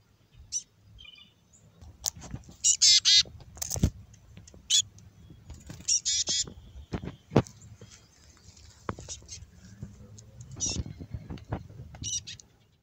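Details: Extra-fluffy black-capped chickadees giving raspy calls: short, high, thin chirps scattered irregularly over several seconds, with a few louder bursts, among soft knocks and rustling.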